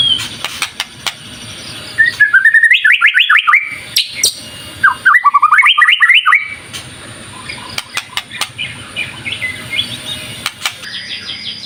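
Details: White-rumped shama in active, full song, used as a lure to provoke other birds into singing: fast bursts of rapid, descending trilled notes. Between the bursts come scattered sharp clicks and a steady faint high tone.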